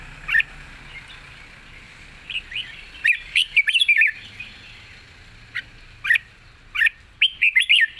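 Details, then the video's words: Red-whiskered bulbul giving its wild-style song with long phrasing and a light voice: scattered short whistled notes, then a quick cluster of slurred warbles near 3–4 seconds, followed by spaced phrases and a closing run. "เพลงป่าๆ สำนวนยาวปากเบา ฟังเพลิน"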